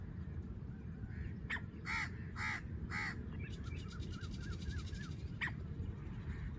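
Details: Hunting lure call of a female black francolin in Layyah, Punjab, Pakistan: three rasping notes about half a second apart, then faint thin chirps from small birds, with constant low background rumble.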